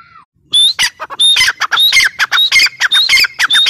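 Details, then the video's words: Grey francolin, or teetar, calling in a loud, harsh, rapidly repeated series of grating notes that run together in a steady rhythmic chant. "gray francolin teetar sound"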